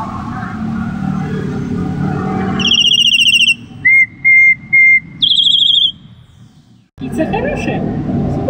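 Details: Black-collared starling (Gracupica nigricollis) in a reserve, singing on a person's prompting: a loud, clear whistled phrase, then three short even piping notes and a final high whistle, with a person's voice and room noise behind.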